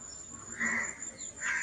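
A Clamorous Reed Warbler gives two brief, harsh, scratchy bursts of song about a second apart, over a faint steady high insect hiss.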